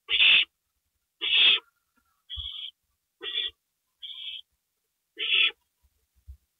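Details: Owl at night on April 27, 2012, 2:05 AM, with a gopher being delivered; three louder hissing screeches interleaved with three softer, thin rasps, and low thuds in the background.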